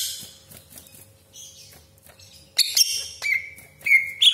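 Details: Greater green leafbird lure song with sharp shot notes: a quiet start, then loud bursts of chatter and clear whistled notes from the second half onward.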